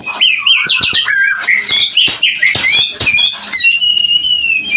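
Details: Breeding song of a white-rumped shama, meant to raise mating readiness in other birds: fast tumbling warbles punctuated by sharp snapping clicks, ending in a long, steady, clear whistle.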